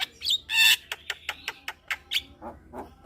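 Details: Caged Javan myna, song used to stir stressed mynas into singing; a loud harsh squawk followed by a string of short clicking chips and lower grating notes.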